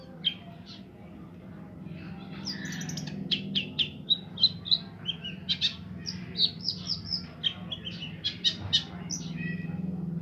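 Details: Long-tailed shrike, said to imitate the songs of 40 bird species, giving a lively medley of high chirps, short whistles and trills that quicken into dense bursts over a steady low background hum.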